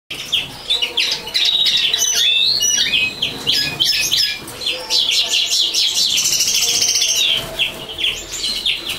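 A common linnet sings a fast, rambling twitter of chirps, trills and short nasal notes, mostly high-pitched and delivered almost without pause.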